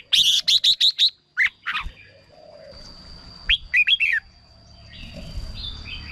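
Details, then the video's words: Decoy recording of a red-whiskered bulbul: an opening run of five or six sharp, evenly spaced chirps, then a short bubbling phrase, followed by a low background rumble and a steady high whine. "เสียงนกกรงหัวจุก สำหรับต่อ หรือ เปิดให้นกคึก เสียงเพราะๆ"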